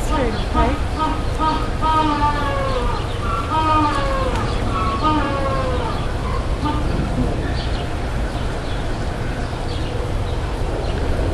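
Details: A sunbathing penguin gives a loud, harsh, braying scream of stacked nasal notes for about six seconds, then falls quiet over steady low rumbling noise.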